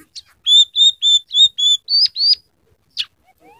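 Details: Scaly-breasted munia in persistent song, filled with borrowed canary, red siskin and sparrow notes: seven clear, level whistled notes in quick succession, ending in two brighter upslurred ones and a short chirp.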